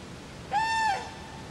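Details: Common crane calling at Friskalanlahti bay, a single trumpeting note lasting under half a second that rises slightly and then falls, with strong overtones and a faint steady hum behind.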